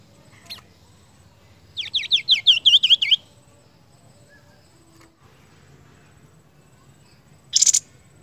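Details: After a faint click, the seniper delivers a tight string of about eight high, descending whistled chirps in close succession. Then comes quiet, and a short loud scratchy burst near the end.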